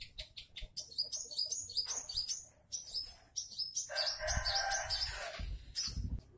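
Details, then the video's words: Long-tailed shrike song used as a lure to make other shrikes sing: rapid high chirps and twittering phrases, then a dense burst of harsh, scratchy notes with low thumps underneath. "sudah banyak cendet yang ikut bunyi gacor SETELAH DENGAR SUARA CENDET INI | pancingan cendet"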